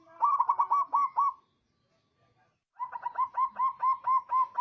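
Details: Local zebra dove, an eager responder used as a master recording to stir emotion and breeding drive in quiet doves. A fast burst of rounded coos, then a short silence, then a longer, steady run of repeated soft notes.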